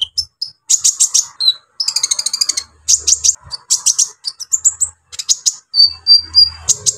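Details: Kolibri ninja, the brown-throated sunbird, pouring out a loud, busy song meant to provoke other sunbirds: dense bursts of shrill, high chips and rattling trills, several thin sustained whistles near the end, with faint low rumbles.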